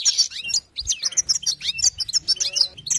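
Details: European goldfinch singing a song meant to stir other goldfinches: a dense, fast run of liquid twitters and sliding chirps, with scratchy notes mixed in and almost no breaks.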